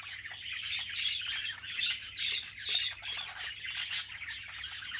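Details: Pet Australian budgerigar chatter: a dense run of high, scratchy chirps and squawks tumbling over one another, with two sharper squeaks near the end and a low background hum.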